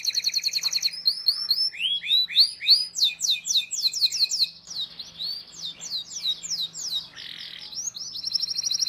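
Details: Canary song played to train young canaries: a buzzy trill opens, followed by series of looping whistled sweeps and sharp chips in changing phrases, closing on another sustained high trill.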